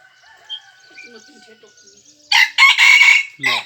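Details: Red junglefowl crowing, recorded 3 March 2020. Quiet faint tones lead into a loud, rough crow lasting over a second, with a brief lower-pitched note at the close.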